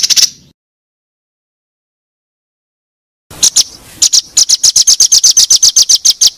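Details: White-rumped shama (murai batu) on a training recording for champion contest birds. A brief burst of song, a long silence, then a steady run of loud, rapid high chip notes of about four per second.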